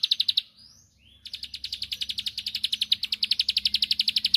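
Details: Bar-winged prinia song aimed at stirring a rival to answer. A short burst of quick, high trilling notes is followed by a pause, then a sustained three-second series of sharp, evenly repeated chips.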